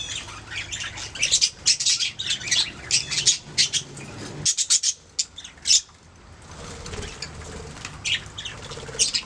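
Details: Budgies making sounds: lively scratchy chatter and sharp high squawks in rapid bursts, a short quieter spell, then more scattered chirps and warbles.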